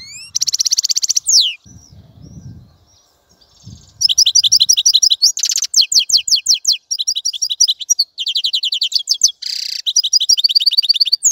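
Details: European goldfinch song beginning with a buzzy trill, then a brief lull with faint low rustling. A long, energetic stretch of fast ringing chirps and wheezy buzzes follows.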